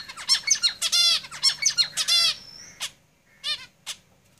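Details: Caged zebra finches singing rapid runs of nasal, buzzy, toy-trumpet notes for about two seconds, followed by a few separate honking calls.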